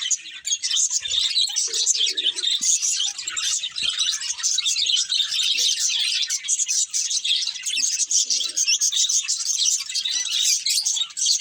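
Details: Pet budgerigars twitter nonstop, many overlapping squeaky chirps and warbled chatter, plus a few faint low murmurs early on.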